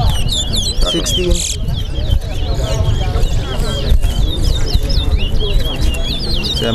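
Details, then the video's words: Chestnut-bellied seed finches (towa towa) in a bird race at Lusignan bird ground, Guyana, keep up quick, sweet twittering phrases, rapid chirps and slurred notes without pause, over a crowd's murmur, a man counting aloud and some music. "TOWA TOWA BIRD RACE"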